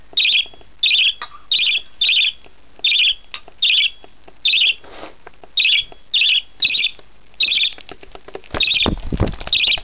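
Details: Feeding-time begging from a one-month-old budgerigar chick: regular harsh squawks, about two per second, ending amid louder rustling and handling noise.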